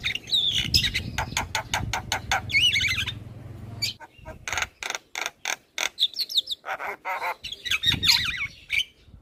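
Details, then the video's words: Javan myna, a very talkative bird in song: descending whistled slurs and scratchy warbles, then a series of sharp evenly spaced clicks and more squeaky chatter. "Jalak kebo Super Cerewet Tak henti Bunyi Bikin Burung Lain Ikut Gacor"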